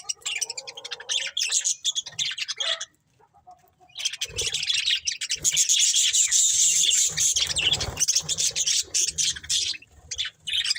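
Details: Budgies of a breeding pair give a long stream of rapid, buzzy chatter and chirps after a short quiet gap, with low thumps in the background.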